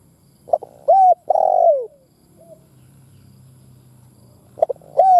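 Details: Decoy spotted dove meant to excite caged doves into calling. Two clipped notes lead into an arched coo and a long, rough, falling coo; after a silent gap the same opening phrase starts again. A faint low hum sits underneath.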